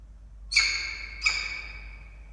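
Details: Wild peregrine falcons at a nest camera in Orange, Australia, on 21 August 2023, as the male brings a live starling to the female, who refuses it. Two harsh, ringing calls, each with a sharp onset and a drawn-out, slightly falling tail.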